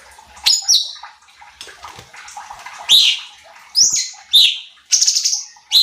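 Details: Sooty-headed bulbul (cucak cungkok) lure/training recording meant to provoke other birds gives bright, bubbly whistled phrases about once a second, some with sharp rising and falling notes, over faint background noise.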